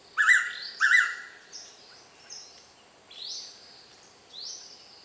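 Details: A tame Blue-winged pitta calls for several minutes from a nearby tree in Kaeng Krachan National Park, Thailand, giving two loud, clear whistled notes about half a second apart, followed by faint, thin, rising chirps from other birds.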